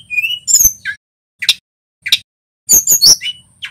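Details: A local male Tledekan Gunung sings in short bursts, heard in a songbird training recording. It gives a whistled upslur, sharp high chirps and clipped squeaky notes separated by brief silences.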